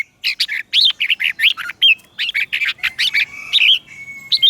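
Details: Red-whiskered bulbul lure bird singing to summon wild birds for a contest: quick, steady series of clear chirped and warbled notes with looping whistles, an almost unbroken phrase lasting several seconds.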